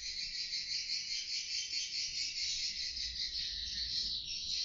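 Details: Swiftlets chattering inside a two-storey swiftlet house measuring 4 by 12, picked up by an indoor CCTV camera: a dense, continuous high twittering with a steady pulsing rhythm and no other sounds.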